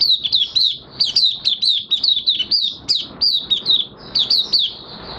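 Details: Caged Oriental white-eye singing openly while in minor moult, 3 June 2022: a steady stream of bright, high, slurred chirps at a fast, even pace, with light background hiss.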